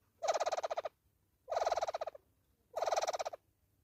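A hornbill gives three harsh, cackling bursts, each a rapid string of about a dozen nasal notes, repeated roughly every second and a quarter. Nothing else intrudes.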